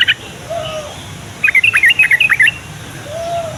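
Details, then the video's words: Yellow-vented bulbul, with song played to set off replies from young and flock birds. A clear, loud, fast phrase of bubbly rising and falling chirps lasting about a second, over soft hiss. "SUARA TRUCUKAN INI BIKIN TRUCUK PAUD DAN OMBYOKAN LANGSUNG NYAUT"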